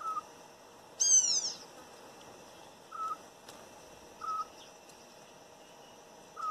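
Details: Short, mellow whistled notes of a wild campo troupial in a backyard in northeastern Brazil, spaced a second or so apart, with one brighter, richer falling phrase; a steady high insect drone hums throughout.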